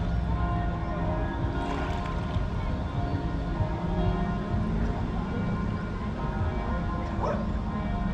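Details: Music and speech in a Swedish city, with a low rumble of traffic and no animal calls.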